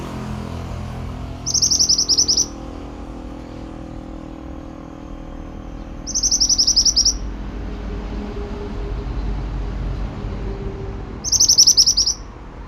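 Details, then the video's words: Pied bushchat in full song for bird training: three separate bursts, about four seconds apart, each a rapid, bright, high rattle of clipped notes. Faint low rumble lies between the bursts. "Masteran burung Mantenan gacor"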